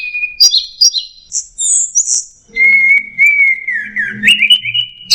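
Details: Anis merah, the orange-headed thrush, in teler-style song: sharp high chirps give way to a long, sustained, wavering whistle that dips and rises, over a soft low rumble.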